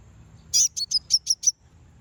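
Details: Common iora (konin) song used to provoke rival birds: a rapid series of six sharp, high chirps, the first longest, then five short clipped notes spaced evenly in under a second, over faint low background hum.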